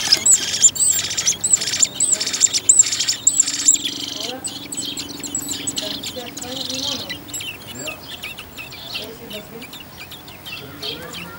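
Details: Eurasian blackbirds, a family raising a second brood of four young in a garden on Whit Monday; a rapid run of sharp, high piping notes in the first four seconds, then softer chirps and low human speech.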